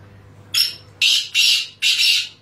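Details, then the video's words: Black francolin, the Sindhi teetar: four harsh, grating notes, a short one followed by three longer rasping bursts in quick succession over a steady low hum. "Sindhi teetar ki awaz"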